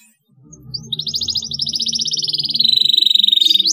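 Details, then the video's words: Canary song meant to stimulate other canaries to sing: a long, fast, even trill that starts high, slides slightly lower and speeds into rapid pulses, over low background music. "cuitan kenari untuk merangsang agar bunyi"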